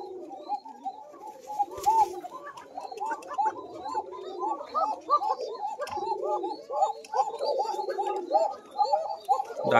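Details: Koka pigeon breeding pairs with young at a farm coo in a dense, overlapping chorus of rapid, throaty, rolling notes without pause. The thin, high-pitched voice among them is described as a young bird's very thin call.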